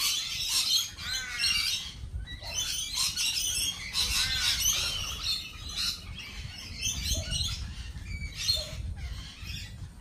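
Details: Several lorikeets at a cafe chatter and screech almost without pause, shrill overlapping squawks and rasping notes packed together over ten seconds, with a steady low rumble of background noise.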